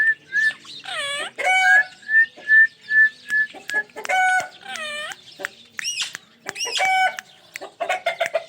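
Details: Ringneck parrot kept as a pet, starting with a run of short upward whistled notes, then loud nasal squawks with many harmonics and arching, looping calls, sounds coming roughly twice a second.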